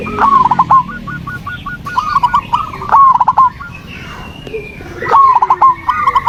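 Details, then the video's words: Lure song of a zebra dove for coaxing a silent terrace dove into calling: bright, repeated phrases of one sliding coo and a burst of three to four quick clipped notes, coming almost back to back. "pancingan perkutut malas bunyi"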